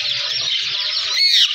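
An Indian ringneck parakeet gives a harsh, raspy, high-pitched stream of chatter lasting over a second, ending in a brighter, more tonal squawk.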